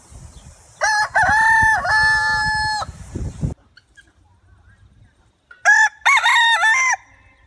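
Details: A rooster in a village gives a loud, harmonic crow with stepped level notes, then falls silent. After a pause of a few seconds, a second, shorter crow follows. Faint low rumbling accompanies the first crow.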